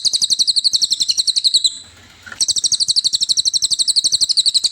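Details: Cililin singing for songbird training: a long, rapid trill of high, clipped notes, a pause of under a second, then an equally fast trill resuming.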